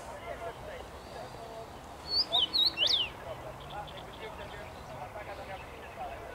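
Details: Singing in a tree on 23 May 2021, a common rosefinch delivers one loud whistled phrase of about five looping notes, the last sweeping down; soft twittering of other birds before and after.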